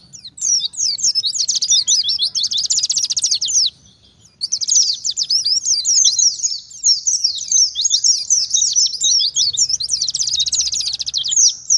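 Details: Oriental white-eye, wild-style 'ngalas' song used to lure and answer wild white-eyes: long bursts of fast, high-pitched rattling trills and twittering, broken by a brief pause near four seconds, then resuming in dense chattering phrases.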